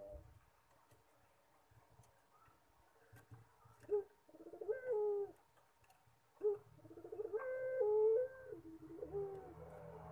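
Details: Quieter collared dove pelung cooing: several short rough coo phrases with bends in pitch, and a brighter held note near the end, over a low background hum and scattered clicks.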